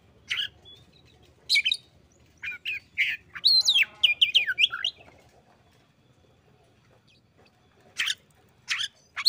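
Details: Oriental magpie-robin replying to a rival: scattered buzzy chips, a loud rising-falling whistled phrase with rapid notes, a long pause, then more short buzzy notes.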